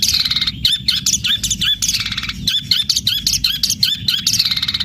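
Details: Vigorously singing long-tailed shrike delivering house-sparrow-style material in a fighting manner; rapid, high chirps and chattering twitters pour out almost without break, loud and insistent, with some short sweeping notes.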